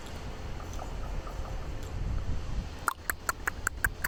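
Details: Common raven in San Francisco making strange noises: after a stretch of low rumbling background, a quick run of sharp, dry clicks or knocks with a faint tonal ring, about five in just over a second.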